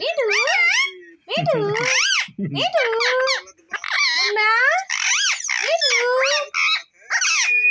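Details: Green parrot talking, repeating the words "mummy" and "papa" in a bright, nasal voice. Short phrases of rapid, sliding syllables are separated by brief pauses, and some squeaky chirps are mixed in.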